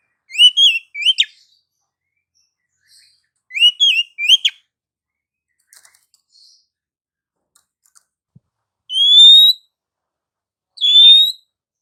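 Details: Female Oriental magpie-robin song used to provoke slow, quiet males: paired sharp whistled chirps repeated twice, a near-silent pause with faint ticks, then two long rising whistles.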